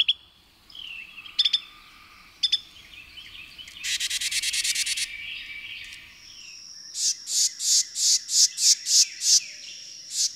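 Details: A small but loud Carolina wren in central Kentucky in spring sings to define its territory, bursting into loud, rolling, high phrases about three per second, after earlier scattered chips and a buzzy trill from other birds.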